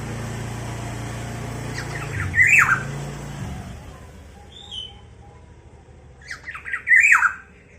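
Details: Black-naped oriole, said to provoke other orioles into agitation: two short, harsh, squawky calls about four and a half seconds apart, with a low engine-like rumble in the first half.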